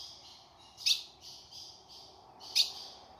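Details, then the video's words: Calling female ultramarine grosbeak recorded in the Caatinga sertão, used to get a male singing: two loud, abrupt high chips about two seconds apart over a faint, steady high hiss. "fêmea de azulão chamando pra esquentar e abrir canto do azulão"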